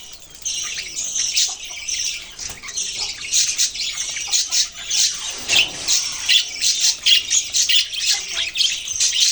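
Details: Budgerigar flock noise: a steady stream of high, scratchy warbling and sharp squawky chirps that grows louder and more clipped toward the end.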